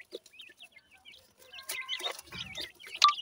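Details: Thin, high chirps from grey francolin chicks kept for breeding in Punjab, Pakistan, spaced at first, then joined by scratchy rustling, a low rumble and a sharp squeak near the end.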